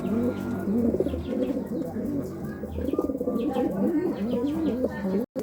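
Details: Courting pigeons producing thick, continuous low gurgling coos with wavering pitch, several voices overlapping, ending in a brief cut of silence.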